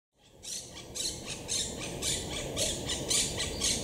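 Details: Wild monk parakeets high in trees at Estepona, southern Spain, in October 2021, while courting and gathering nest material; harsh, broadband squawks repeated about twice a second in a steady series over soft background noise.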